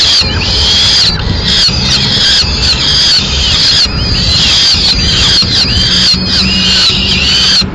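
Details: Male peregrine falcon feeding chicks a swift in Madrid, not handing it over whole; thin, high squealing comes in quick repeated bursts, over a faint low hum.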